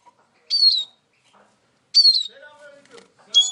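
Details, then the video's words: Eurasian siskin giving three high, sweet slurred notes that drop in pitch, spaced about 1.4 seconds apart, with faint lower tonal sounds between them. "İskete kuşu ötüşü"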